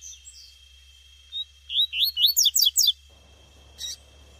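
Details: A female Double-collared seedeater calling in the wild gives a quick run of high, thin chirps, about eight rising-and-falling notes in just over a second, then one brief note, over a steady high whine; call said to excite males.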